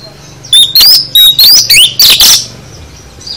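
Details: Full isian song of the oriental magpie-robin (kacer): a rapid two-second string of bright whistles and upward-slurred notes, ending in a harsher buzzy phrase, with quiet before and after.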